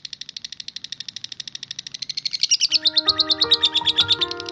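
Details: Lovebird giving its rapid "ngetik" (typing) chatter: a fast, even series of high, clipped notes, about a dozen per second, growing louder and slightly higher partway through, while background music with sustained tones enters in the second half.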